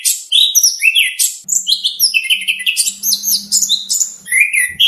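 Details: Dense, fast oriental magpie-robin song used as training material for contests: tumbling high chirps and whistled upslurs overlapping, with a faint low hum underneath.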